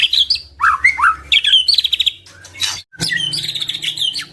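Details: Singing white-rumped shama, meant to provoke other shamas into song: quick chattering trills alternating with lower curved whistles, a short gap, then a fresh run of fast high rattles over faint background hum.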